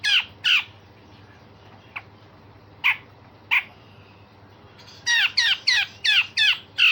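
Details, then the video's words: Grey-cheeked bulbul singing coarse rasping phrases and sharp notes, played to train other songbirds: scattered harsh calls with pauses, then a fast run of six loud buzzy, squawking bursts. "Cucak jenggot Besetan Kasar dan Tembakan Tajam"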